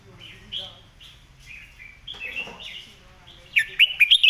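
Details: Red-whiskered bulbul tutoring song: soft, continuous chattering warbles from several birds, ending in one loud, crisp phrase of rapid whistled notes.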